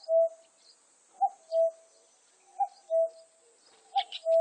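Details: A cuckoo calls its falling two-syllable cuck-oo, the second note longer and lower, three full pairs plus a start in quick succession; a brief burst of high chirping from another bird near the end and a steady background hiss.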